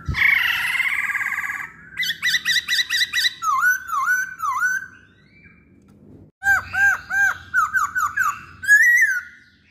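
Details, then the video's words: Masked laughingthrush, called poksay Hongkong, in a lure recording: a loud harsh rasp, then strings of rapid clear whistled notes, repeated dipping whistles, a brief pause, and another lively burst of looping whistles. "Pancingan Poksay Hongkong"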